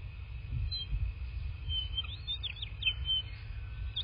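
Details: Bald eagle heard from a nest camera in southwest Florida, 25 February 2024, late afternoon: a quick series of high, squeaky, downward-sliding chirps and short whistles, against a constant low hum.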